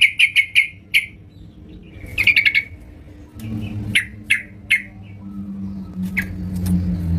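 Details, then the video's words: Yellow-vented bulbul singing actively at home, giving short clipped chirps in small bursts separated by pauses, some notes slurred downward, over a steady low electrical hum. "terucukan gacor di rumah"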